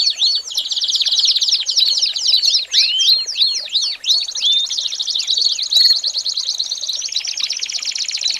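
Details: American Singer canary in a training recording for young birds, opening with fast repeated arching whistles, moving into a long even trill, then a lower rolling trill to the close.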